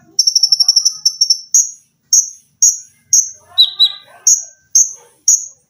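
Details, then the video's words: Olive-backed sunbird, kept as a cage-bird training model, opening with a fast sewing-machine-like trill of about ten notes, then evenly spaced sharp high chirps roughly every half second and one lower twittering phrase. "TERAPI KONIN GACOR FULL TEMBAKAN RAPAT!!!MESIN JAHIT,LENGKINGAN DAN BESETAN."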